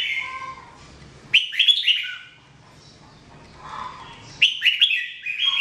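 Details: Red-whiskered bulbul (jambul) singing, recorded in 2017 as a training song: two bursts of bright, warbled whistled phrases, quick rising and falling notes, separated by a quiet pause of about two seconds.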